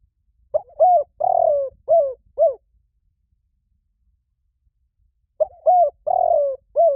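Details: Lure-call recording of a spotted dove: mid-pitched cooing phrase of short curved notes around one long wavering coo, repeated after a silent gap of about three seconds, no other sounds.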